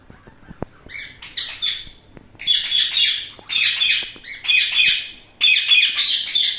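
An Indian ringneck parakeet gives harsh, raspy squawking bursts, each about a second long, repeated roughly once a second, with faint clicks in the background.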